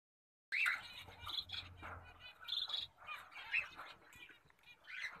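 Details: Full orange zebra finch calling: short nasal chirps and squeaky notes, repeated irregularly, with a faint low hum underneath.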